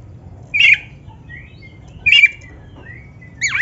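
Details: Oriental magpie-robin, black-breasted form, in a recording meant to stimulate caged birds. Harsh, scratchy notes come roughly every one and a half seconds, separated by faint thin whistles, and end on a rising squeal.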